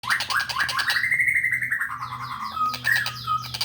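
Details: Young long-tailed shrike singing: a run of harsh, down-slurred notes that climb into a longer sliding whistle, then scratchy mixed phrases with short clear whistles, over a low background rumble.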